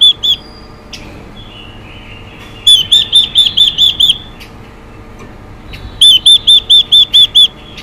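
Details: Female Chinese hwamei singing to rouse male birds: two brief notes, then two runs of seven crisp, identical whistled notes delivered in fast, steady rhythm with short gaps between runs.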